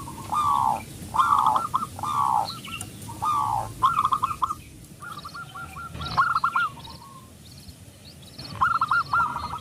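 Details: Local zebra dove singing to provoke other doves: strong rolling coo phrases repeated every second or so, then a softer stuttering run, with high chirping from other birds and steady background hiss.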